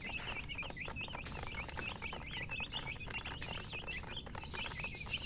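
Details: Chicks chirping in a steady stream of high, swooping peeps, clearly separated notes several per second, with a few sharp taps and low rustle in the background.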